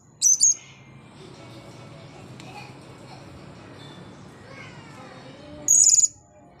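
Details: Blue-crowned hanging parrot calling in front of a camera after drying off from a bath; two brief, shrill, very high-pitched squeaky notes, one at the start and one near the end, with a low steady hum between.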